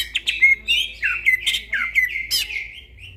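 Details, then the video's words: Greater green leafbird singing at night, a lively run of varied whistled and slurred notes around the upper-middle pitch, with quick downward slides and sharp chirps packed closely for about three seconds. "burung cucak ijo bunyi tengah MALAM GACOR"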